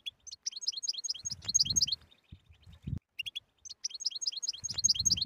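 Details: Goldfinch song in the tabtaba style, meant to stir a silent goldfinch into singing: a long run of quick, sharp, twittering notes, a brief gap, then the chattering starts again, with dull low knocks underneath.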